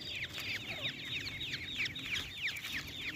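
Black francolin chicks keep up a busy chorus of thin, high, down-slurred peeps, several birds overlapping at about three notes a second, over a low background hum.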